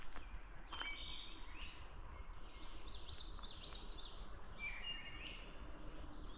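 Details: Wood thrush singing off to the right on the K&P Trail south of White Lake Road at about 6:30 am, 16 May 2025: two flute-like phrases of pure clear notes ending in a thin high trill, over low rumble and wind.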